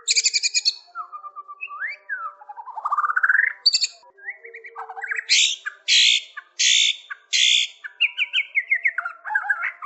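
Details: White-rumped shama singing energetically: a varied run of slurred rising whistles and warbled notes, then loud harsh buzzy bursts repeated about once a second, closing with quick chattering phrases; no other sounds.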